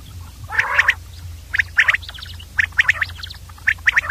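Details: Common Quail uttering its clipped three-note call, bright 'quip-ip-ip' phrases repeated about once a second, opening with a rougher buzzy note, over a quiet low hum.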